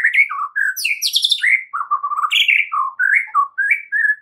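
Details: White-rumped shama singing gacor style as a training recording for caged birds, delivering a continuous, richly varied stream of warbled, slurred and fluty notes with a brief harsh high burst near the start.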